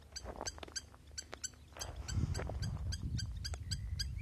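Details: Spur-winged lapwing's sharp, ringing notes repeated about four times a second over four seconds, with low rumbling and thumping noise growing louder midway.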